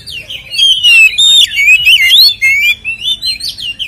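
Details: Oriental magpie-robin (kacer) singing energetically in 'ngeplong tarung' fighting style, used to provoke rival kacer: a rapid, loud stream of sweet whistled phrases, rising and falling slurs tumbling together with overtone-rich twists.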